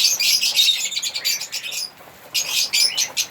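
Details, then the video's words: Chirping and singing from African lovebirds: rapid bursts of sharp, high, squeaky twittering that break off into a short lull near the middle, then resume with more shrill chirps. "African Lovebirds singing and chirping sound"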